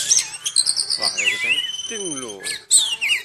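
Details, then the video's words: Even while moulting, an oriental magpie-robin sings vigorously: crisp, sharp high whistles give way to a long, clear rising note. Then come lower sliding, chattering phrases and a final bright burst. "Walaupun Mabung, Burung Kacer ini Tetap Gacor"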